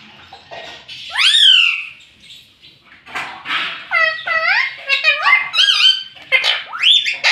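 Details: Pet rose-ringed parakeet repeating the word "mummy" over and over: a rising drawn-out call, then a rapid series of nasal, scooping, two-syllable phrases in a small room.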